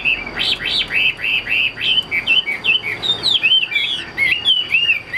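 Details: A Chinese hwamei (Garrulax canorus) sings a rich, fast run of loud slurred whistles, each note rising or falling, over a faint steady high whine.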